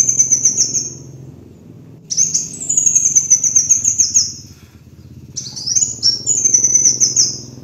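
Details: Kolibri wulung (sunbird) master lure song, high thin twittering phrases with quick up-and-down slurred notes, two bursts separated by short pauses, over a steady low hum.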